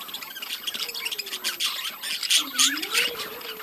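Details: Budgerigars in a breeding colony keep up a dense, continuous chatter of overlapping high squeaks, chirps and scratchy warbles. A softer, lower wavering whistle slides up and down beneath them.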